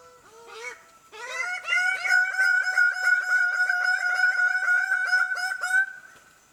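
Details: Male Greater birds-of-paradise in frenetic display dances with females nearby give loud, nasal, honking notes, three or four a second, in an excited overlapping chorus after a brief opening call.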